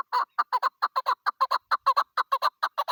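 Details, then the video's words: Female chukar partridge used for hunting, on the first day of the hunt, uttering rapid paired clucking chuck notes, evenly spaced and throaty, against a quiet background. "shikari chakor ki video kekik sesi"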